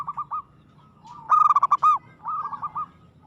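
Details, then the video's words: Zebra dove, local bird, in aggressive song: a few soft coos, then a loud fast burst of clipped, bright notes, followed by a quieter rolling series. "suara perkutut gacor agresif mental baja"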